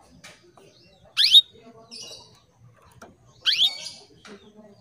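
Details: Female canary calling to males, kept caged in Indonesia; two upward-sweeping chirps about two seconds apart, with soft buzzy twittering and faint rustling in between.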